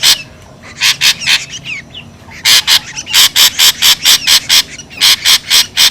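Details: Ashy drongo calling noisily for luring birds: groups of loud grating rasps, with faint whistled upslurs between, then a rapid run of harsh bursts roughly twice per second.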